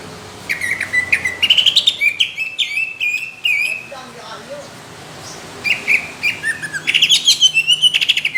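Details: Greater green leafbird (cucak ijo) in competition-quality song, delivering rough, thick 'tembakan' bursts: rapid buzzy chattering notes and slurred whistles, with a quieter lower warbling passage mid-way before fast repeated bursts resume.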